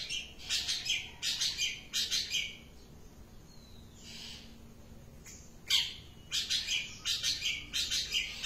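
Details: Long-tailed shrike giving series of harsh, grating rasps in quick runs. A quieter pause with faint background sounds comes midway before the rasping resumes.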